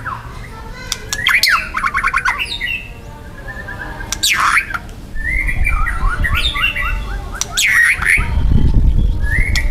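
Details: Young wild white-rumped shama in loud, dense song of harsh material: rapid rattling trills, sharp rising and falling whistles and buzzy bursts, repeated in quick varied phrases over steady low background rumble.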